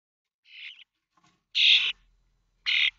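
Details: Common starling chicks at a monitored nest in Théding on 19 May 2024, 21 days after hatching, on fledging day: three harsh, hissing, broadband rasps, the first softer, the next two louder, about a second apart.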